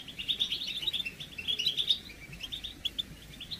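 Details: European goldfinch chirping meant to stir males during moult, with mating and readiness calls; fast liquid twitter of clustered bright notes, louder in the first two seconds, then thinner scattered chirps.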